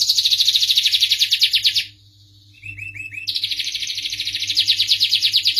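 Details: Starblue canary in sweet song: long dense high trilled phrases, broken by a short pause with a few lower bubbling notes, then the rapid rolling trill resumes strongly to the end; faint background hum.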